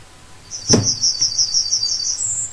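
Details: Yellowhammer singing its "a bit of bread and no cheese" phrase: a rapid string of bright, evenly spaced high notes ending in a higher sustained tone, cut short. A single soft thump near the start.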